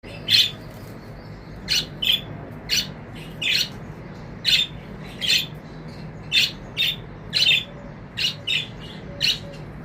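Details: Budgerigars give short, scratchy chirps in irregular, crowded bursts in the morning.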